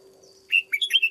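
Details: Red-whiskered bulbul in a cage, trained as a lure bird, gives one bright, rapid warbling phrase of slurred notes that rise and fall, with a constant low electrical-sounding hum underneath.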